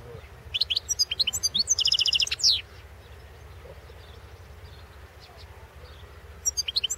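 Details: Competition song of a European goldfinch at the 2016 world goldfinch song championship: rapid, bright twittering notes building into a dense, buzzy, high-pitched trill, a pause with low hum, then a few more chirps at the end.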